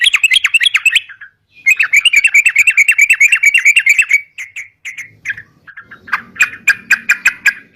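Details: Sooty-headed bulbul in full, continuous song, used as a lure for catching birds: a long, even run of rapid chirped notes, then scattered separate notes and a short sharper burst at the end.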